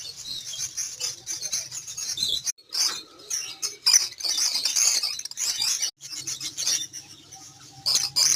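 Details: Pet canary singing: dense, high rapid trills and chirps pouring out in long runs, broken by brief pauses, with faint rustling in the background.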